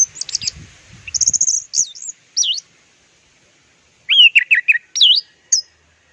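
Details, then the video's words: Orange-headed thrush delivering 'teler' style song. High trilled notes and looping whistles come first, then a gap, then a cluster of lower, quickly repeated slurred whistles ending in a high note. "JUARA MASTERAN TELER ANIS MERAH PLONG DAN TELER!"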